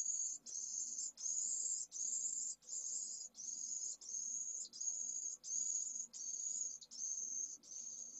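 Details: A pallid swift chick a few hours old begs for its first meals at a nest in Jerez de la Frontera, Spain, in 2022. Shrill, hissy notes repeat in a run of about a dozen, each lasting around half a second.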